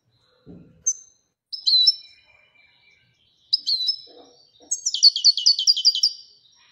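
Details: Moroccan European goldfinch singing in the Widania song style: short bright whistled notes, then a rapid buzzy twittering trill near the end, with a faint low thump early on.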